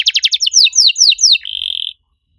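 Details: {'caption': 'Canary singing as master song for training other canaries: fast stuttered notes, a handful of long descending sweeps, then a brief steady buzzy trill, and silence.'}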